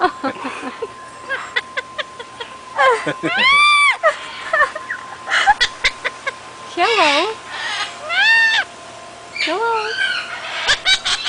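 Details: Bird at Key West mimicking flirtatious human phrases like "hey baby": warbling, speech-like syllables and long rising-falling whistles with rich overtones, interspersed with sharp clicks and short chirps.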